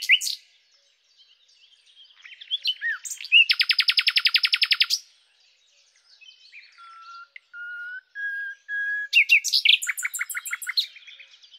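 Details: Common nightingale singing a varied song: scattered chirps and a slurred note, then a loud rapid rattling trill of about twenty identical notes, a pause, a series of pure whistled notes rising in pitch, and a final burst of fast, buzzy, rattling phrases.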